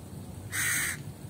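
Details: Crow calling once with a short, coarse, loud caw, framed by faint low-pitched hum before and after.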